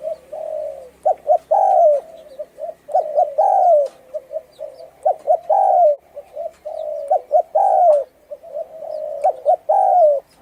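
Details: Spotted dove of Thai stock with a hoarse tone, calling to excite decoy birds: rhythmic phrases of quick clipped notes, each ending in a long, loud, slightly falling coo, repeated about every two seconds.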